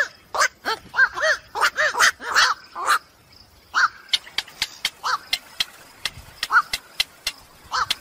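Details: Black-crowned night heron calls used to lure birds during the night trapping season: a dense series of harsh quok-like squawks for three seconds, then scattered croaks among rhythmic sharp ticks.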